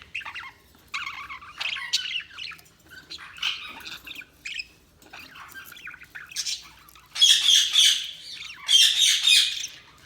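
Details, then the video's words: Pet budgerigars chirping and chattering in irregular scratchy phrases, softer at first, then two loud harsh squawking bursts toward the end. "Budgies Chirping sound"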